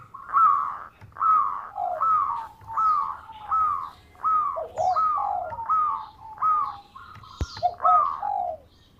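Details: Local Zebra Dove, a prolific singer with a sweet voice, suited as a lure for catching birds: about nine similar cooing phrases, each a bright high note dropping into a softer lower coo, repeated roughly every second.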